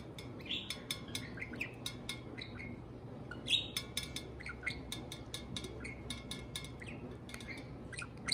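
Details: Pet parakeet serenading a can of beer indoors: quick high chirps and twitters come in rapid bursts, mixed with sharp clicking taps throughout.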